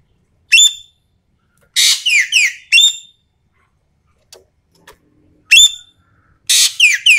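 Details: Common green magpie from Sumatra in a lure recording of vigorous, full calling: a sharp high note, then a harsh three-part burst of rasping and falling whistled notes, repeated after a pause of several seconds in near silence.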